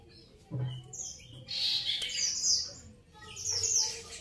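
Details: Grey-cheeked bulbul singing: loud, bright chirping phrases in two bursts, separated by a short pause, with a faint low hum beneath.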